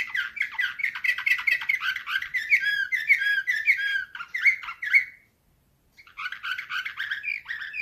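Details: Canary performing Slavujar nightingale-style song, 2024: long fast sequence of sharp whistled and rattling notes with looping upward slurs, stopping abruptly for a second of silence, then a renewed rapid warbling phrase.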